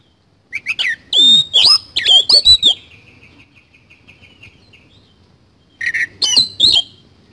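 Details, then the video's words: Oriental magpie-robin in lively song: loud bursts of varied whistles mixed with harsh, scratchy notes, then a long fading trill, with a fresh burst of rich phrases near the end. "BURUNG KACER GACOR ISIAN KASAN"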